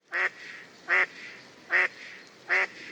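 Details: Wild mallard quacking: four loud, nasal, evenly spaced quacks, roughly one every 0.8 seconds, each short and harsh with strong harmonics, over quiet background.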